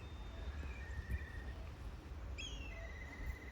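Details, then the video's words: Hawks at a zoo in Addis Ababa, Ethiopia, giving two thin, drawn-out whistles, each sliding slightly downward, faint over a steady low rumble. "bak Şahinler ötüyor"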